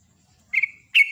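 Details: Sooty-headed bulbul giving a loud morning song in the rapid ropel nguklik style: two short clear whistled phrases, the first held and slightly falling, the second brighter and sharper after a brief pause, with a quiet background.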